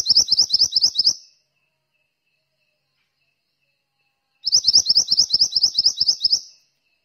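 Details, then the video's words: Mantenan (Malaysian pied fantail) singing actively, a short burst of about ten rapid, sharp, high chirping notes, a long silence, then a second, longer run of similar quick notes. "suara burung mantenan gacor"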